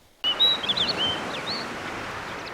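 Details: Male snow bunting singing on territory on Grimsey Island, Iceland, in summer: a short phrase of clear whistled notes and quick slurred trills between roughly three and four thousand cycles, over steady broadband background hiss after a brief silent start.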